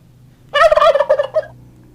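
A turkey gives a single rapid, rattling gobble, a gurgling burst about a second long, over a faint low hum.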